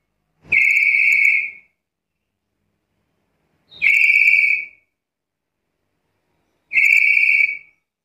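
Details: Black-capped lory whistling: three long, steady, piercing notes, each about a second, sounding like a shrill flat whistle with buzzy overtones, repeated about every three seconds, nothing else audible.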